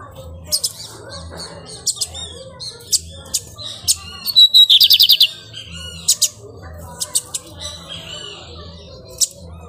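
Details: Lined seedeater of the pirata form, singing while busy nesting; a short buzzy rapid trill of about eight high notes near the middle, amid sharp scattered clicks and taps and a low background hum.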